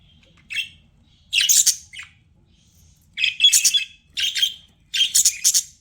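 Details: Pet budgerigar chirping in bursts of bright, scratchy, warbled notes, some short and some stretched into chattering runs, separated by pauses of about a second, with a faint low hum underneath.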